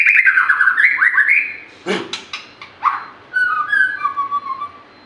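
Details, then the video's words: Vigorous white-rumped shama song opening with a rapid run of warbled, rising and falling whistles. Several hard clicking notes follow, then lower, descending whistled phrases in a quieter, drawn-out close. "PANCINGAN SUARA BURUNG MUARAI BATU GACOR"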